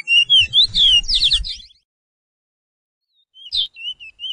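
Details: Chestnut-bellied seed finch, known as picolet or curio, from Suriname, in a 'pije pije' training song for caged birds: a burst of quick, rising and falling whistles with low rumble, a pause, then sliding whistled notes resume.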